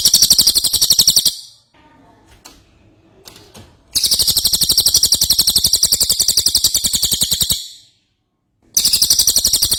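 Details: Energetic ashy tailorbird song: long runs of rapid, high, rattling pulses lasting up to three and a half seconds, with faint clicks and knocks in one pause.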